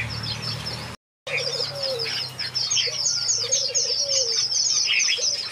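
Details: Aviary finches in a backyard keep up a steady run of high, thin chirps and trills, with a lower soft cooing phrase repeating underneath and a short gap of silence near the start.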